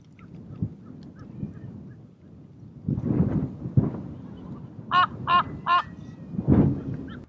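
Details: Common raven of the Canary Islands subspecies, recorded on Fuerteventura, Spain, in February 2017: four hoarse, harmonic-rich croaks in quick succession near the end, preceded by low rumbling background noise and a few faint softer notes.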